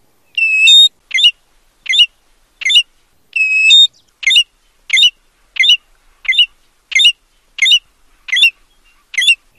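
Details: American golden plover: two drawn-out whistles stepping upward at their ends, followed by about eleven quick, sharp two-toned notes repeated roughly twice a second, with no other sounds.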